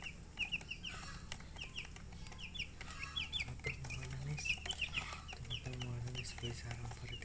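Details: Coloured hens and chicks chirping steadily, with bright, short descending peeps in quick runs, several birds overlapping, over a low background rumble and brief low murmurs.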